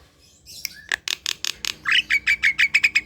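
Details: Javan pied starling, caged at home, morning session: rapid harsh chattering bursts followed by a rising whistled note and a run of short, clear repeated whistles.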